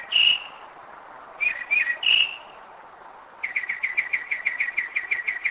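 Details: Northern mockingbird singing at 2am, Kennesaw, Georgia; a whistled note and a three-part slurred phrase, then a switch to a fast series of about fifteen short identical chips.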